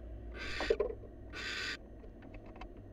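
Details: At a nest box used by a wild barn owl pair, two rasping, breathy screeches sound about a second apart, followed by soft scratching and tapping sounds.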